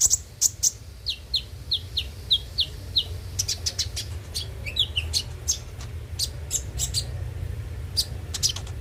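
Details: Brown-throated sunbird, called konin, sung as a lure for caged birds: a run of short descending whistled notes about every quarter second, followed by dense high chirping and clicks over low hum.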